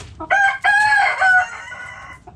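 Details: Backyard rooster crowing: a loud harmonic cock-a-doodle-doo in three or four segments, the long final note held and slightly falling, lasting about two seconds.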